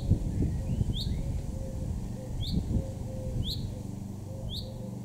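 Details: Male common chaffinch in a Weener garden, East Frisia, Germany, June 2024, giving brief high, sharp notes about once a second, with soft lower whistles from other birds and a constant low background rumble.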